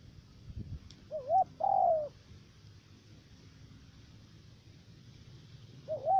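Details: Decoy spotted dove calling during bird trapping in Khanh Hoa commune, U Minh, Ca Mau. One clear two-part coo, wavy then drawn out and falling, is followed by a pause and the start of another phrase.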